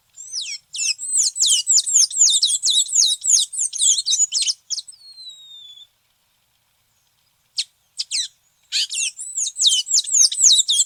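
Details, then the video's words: Tanager singing a rapid run of high, slurred notes for about five seconds, a thin trailing whistle, a pause, then another fast run of the same notes. "SONIDO DE LAS TANGARAS"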